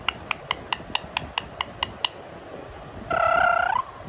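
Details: Pet Indian ringneck parakeet in a talkative mood, mimicking a cat: nine sharp, evenly spaced clicks over two seconds, a pause, then one drawn-out, nasal meow that ends with a slight upward lift.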